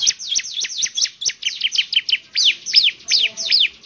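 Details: Rapid continuous series of shrill, high bar-winged prinia notes, each sweeping down and back up, about three per second with no pause, some doubled, clear and close.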